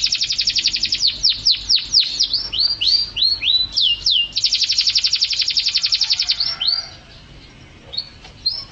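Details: Canary song recorded as training material for cage birds: rapid rattling trill, a run of drooping swooping notes, another loud dense trill, then fading scattered chirps.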